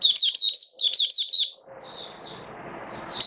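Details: Caged oriental white-eye recorded 19 September 2022 in build-up form gives quick repeated slurred chirps, about two per half second, then quieter high trilled notes against a low background hiss.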